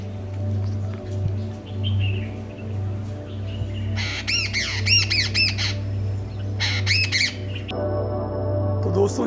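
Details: A flock of jungle babblers near Bandri village, Uttarakhand, in the Himalayas, around 6:30 in the morning, gives harsh, nasal squawks in quick bursts through the middle seconds, over a steady low musical drone.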